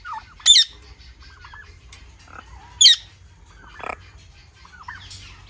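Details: Parrot calling: a few loud, harsh, sharply rising squawks spaced about two seconds apart, with softer chattering notes in between over a quiet background.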